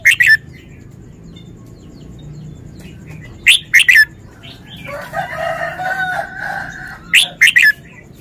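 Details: Red-whiskered bulbul showing off its song phrasing: three loud, quick three-note chirpy phrases spaced about three and a half seconds apart, with a rooster crowing between the second and third.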